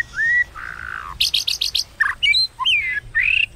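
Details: White-rumped shama in fighting song used to provoke rivals, 'kéo thuốc lào' style: a clear rising whistle, a low buzzy note, a fast burst of five sharp high chips, then varied slurred whistles and twisting phrases.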